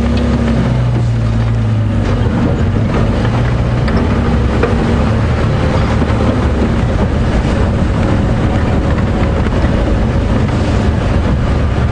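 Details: A steady low engine rumble of a vehicle driving, with no animal voices audible.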